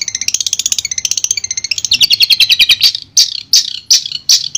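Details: Long-tailed shrike from Madura, a clear master song: rapid repeated chattering notes at first, shifting into a fast descending trill, then separated loud harsh notes about every half second.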